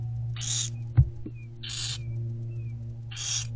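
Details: Barn owlets begging while being fed in daylight inside a nest box, February 2024: three breathy rasping hisses about 1.3 seconds apart, faint thin whistled notes between them, a sharp knock, and a constant hum.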